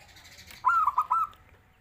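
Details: Zebra dove, a bird kept to become a vigorous, frequent singer, giving one short cooing phrase: a brief higher introductory note, then four mellow rolling coos at a steady pitch, over faint background hiss.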